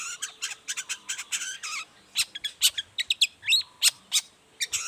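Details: Long-tailed shrike morning song meant to draw replies from other shrikes: fast, rattling bursts of harsh clicks and chatter, a short pause, then louder separate squeaky and whistled notes.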